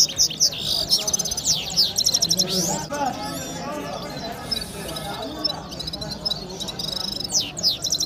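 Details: Red-fronted serin (Serinus pusillus) singing a rapid, high, tinkling song of buzzy trills and quick twittering notes, with other small finches chattering and faint voices behind.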